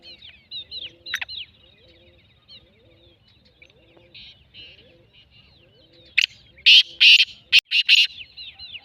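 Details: Black francolin gives a loud, rasping phrase of several harsh, buzzy notes near the end, after a stretch of thin, rapid chirps and twitters from other small birds.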